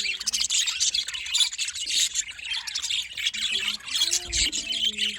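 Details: Budgerigars chirping in the morning, Larkana, Sindh: dense, continuous high chatter of many overlapping squeaky chirps and warbles, with a few short low tonal notes underneath.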